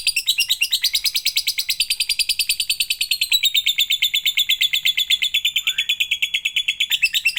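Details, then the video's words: Lovebird song used as a lure to get other lovebirds singing: a long, fast chatter of sharp high chirps, about seven per second, sliding slightly lower partway through, with no other sounds. "Pancingan agar love bird anda gacor"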